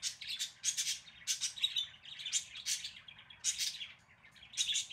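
Budgerigars chatter in quick bursts of scratchy, warbling chirps with bright whistled notes mixed in.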